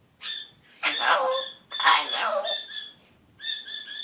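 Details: Scratchy-voiced African grey parrot, one year old, speaking: two rough speech-like syllables, then steady whistled tones with clear overtones, repeated twice near the end.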